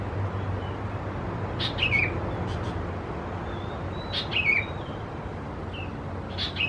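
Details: Young Sooty-headed bulbuls (Pycnonotus aurigaster thais) at Khao Yoi, Phetchaburi, Thailand, 17–20 June 2020, give short, sharp chirps in small bursts about every two seconds over a steady low hum.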